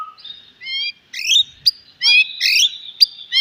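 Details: White-rumped shama song meant to stir a silent bird: short clear whistles that rise and fall, broken by brief pauses, with some scratchy higher notes. The phrases are softer and more spaced than full song.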